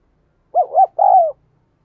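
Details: A single 'thúc gù' phrase from a spotted dove, the cooing used to train decoy birds and lure wild doves: two quick rounded hoots followed by a longer, slightly wavering falling coo, in a clean, quiet recording.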